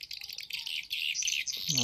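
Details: Stereo lure sound of edible-nest swiftlets for nest-house farming, Bulan Madu with Black Phoenix: a steady stream of high, buzzy chirps, cut off by a brief voice at the very end.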